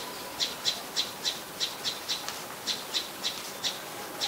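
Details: Common tailorbird, an adult common resident bird, at Ubon Ratchathani, Thailand, on 27 January 2021; sharp high chipping notes repeated roughly every quarter to third of a second, about eleven in four seconds, over quiet background.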